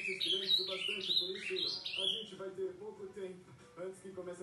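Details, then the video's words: Ultramarine grosbeak singing after 11 pm at night, a quick run of rich, sliding whistles for about two seconds, with a low voice or music humming underneath throughout. "azulão dando show"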